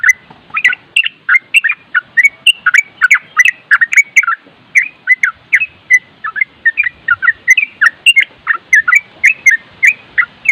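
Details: Yellow-vented bulbul singing continuously (nropel), a recording used to train other bulbuls and paired with wind sounds: dense run of short chirpy, warbling notes, two to three a second for the whole stretch, with brief sharp high clicks above.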